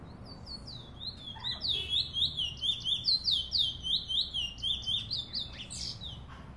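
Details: Chestnut-bellied seed finch, Trinidad's bullfinch, 2018: a long, flowing string of high whistled swoops repeated roughly twice per second for several seconds, loud and even, with light low-frequency background noise.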